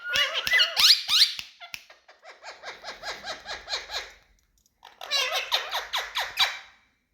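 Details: Big male Indian ringneck parakeets, kept indoors as talking pets: loud harsh squawks at first, then a fast run of short, repeated, laugh-like descending notes. A brief pause follows, then more rapid chatter in a small room.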